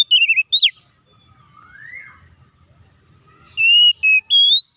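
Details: Oriental magpie-robin in combative song used as a provocation: a quick cluster of falling whistles, a pause with a faint slurred note, then long steady bright whistled notes.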